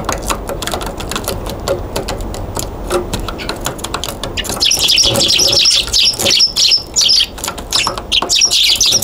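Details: Eurasian tree sparrow at a balcony on 14 January 2022, glancing restlessly about; sharp clicks and low rumble open, then from midway a dense run of high, rapid chirps that carries to the end.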